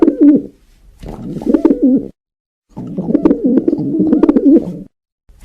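A pigeon gives low, throaty, rolling coos in two long bursts.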